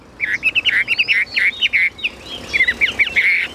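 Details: Caged Chinese hwamei singing a fast run of short, bright whistled notes, several per second, with brief gaps and a quieter stretch midway.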